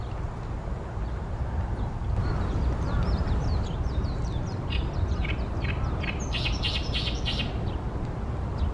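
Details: Oriental great reed warbler, newly arrived and singing loudly, recorded 28 May 2020 in Ashiya, Japan, in a tall tree by a reed-filled pond. Thin whistled slurs come first, then a burst of harsh, scratchy notes near the end, with constant low rumble behind.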